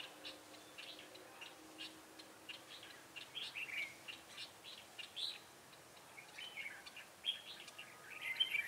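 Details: Red-whiskered bulbul singing as a trap decoy to draw in wild birds, 7 January 2018; rapid series of chirpy whistled notes, irregular and bunched, louder toward the end, over light outdoor noise.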